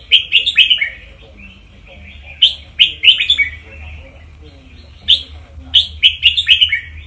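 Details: Red-whiskered bulbul teacher-bird song played to excite listening birds: three bursts of fast, cheerful whistled notes spaced two to three seconds apart, faint low hum behind.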